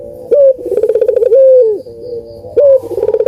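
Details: Puter dove song used as a lure for birds that are slow to sing: a clipped opening note, a rapid pulsing roll, and a drawn-out level coo, with the next phrase starting at the end.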